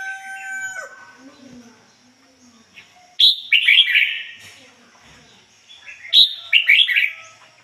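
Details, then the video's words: Decoy red-whiskered bulbul singing 'ngoi bổi' style with a clean standard voice: two bursts of bubbly, downslurred whistles about three seconds apart, after a faint tonal note and soft background sounds. "chim chào mào mồi hót ngoi bổi giọng chuẩn ko lấn tạp ôm"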